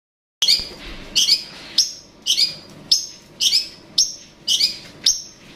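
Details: Long-tailed shrike calling to provoke a rival: sharp, harsh chirped notes high in pitch, repeated about once every half second to second in a steady series, with a faint low background hum.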